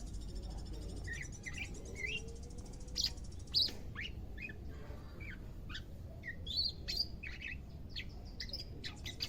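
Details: Greater green leafbird kept in care, second day, starting to sing: scattered high chirps and short whistles that grow busier in the second half, with a soft low hum behind.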